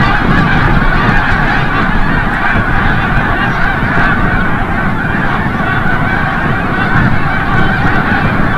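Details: Wild Snow Geese returning from the bay at sunset at Forsythe National Wildlife Refuge, Oceanville, New Jersey; a dense, unbroken chorus of overlapping nasal honks from a large flock, steady in loudness throughout.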